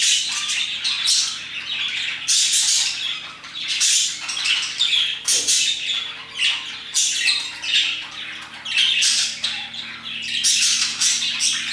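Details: A group of parakeets calling around 2pm, with steady overlapping screechy chirps and squawks in rapid bursts, a faint low hum running underneath.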